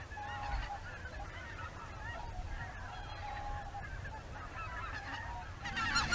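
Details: A flock of greater white-fronted geese in formation flight near Izunuma in Miyagi Prefecture, Japan, before dusk, going to feed again; steady chorus of nasal honks and yelps from many birds over a low background rumble.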